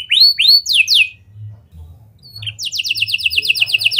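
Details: Canary with mimicked lovebird and prenjak phrases, used as a lure to get other canaries singing: rising whistled notes, a pause, then a fast buzzy trill of repeated descending notes.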